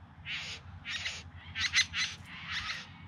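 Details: Bowerbird singing during courtship display, Yarra Valley just outside Melbourne, September 2020: five harsh, buzzy, hissing bursts about half a second apart, the middle ones doubled, over a low steady background rumble.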